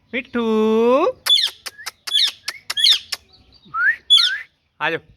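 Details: Rose-ringed parakeet, the green ringneck, giving a drawn-out voice-like nasal tone, then a quick series of clicks and two rising whistles, ending in a short throaty note.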